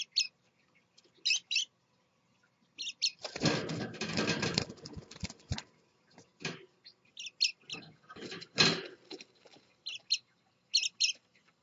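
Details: A male scarlet-chested parakeet with his chicks: brief high chirps come in pairs and small clusters, broken by a long burst of broadband rustling and scraping.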